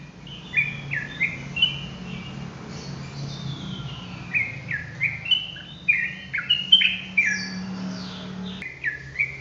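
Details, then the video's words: Sooty-headed bulbul singing in the rapid ropel style: a quick string of bright, short whistled notes, many dropping or rising in pitch, delivered in bursts over a low steady hum. "TRUCUKAN ROPELAN GACOR"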